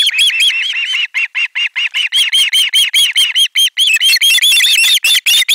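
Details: Osprey chicks at a Finnish nest-cam nest on 18 July 2022 loudly greet an incoming fish in a shrill chorus of rapid, piercing squeals, two or three per second, rising in intensity and overlapping toward the end.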